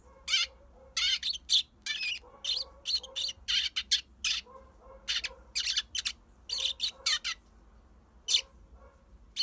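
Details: Eurasian tree sparrow kept as a pet, sunning outside a front door near a barking dog. Steady, rapid series of sharp, high chirps and short squeaky notes, with no barking and faint background hum.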